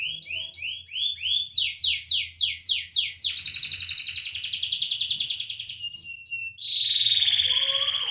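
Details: Canary singing in full voice, used to prompt silent canaries to sing: a series of sweeping high notes repeated about twice a second, then a long fast buzzing trill, a brief chatter and a sustained clear high whistle.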